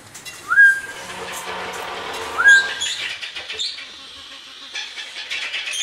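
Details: Two rising whistles about two seconds apart from young captive-bred Congo African grey parrots, hatched in the 2009–2010 season, followed by scattered clicks and rustling noises.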